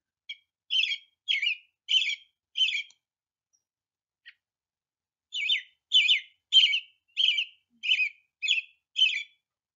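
American Robin caroling in short, liquid, slightly burry phrases, about two per second: a run of four, a pause, then seven more.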